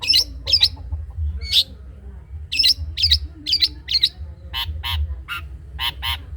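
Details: Long-tailed shrike delivering cendet trotol song meant for other birds to imitate: varied harsh squeaky notes in short groups, ending with ringing, more tonal notes repeated about twice a second, low hum underneath.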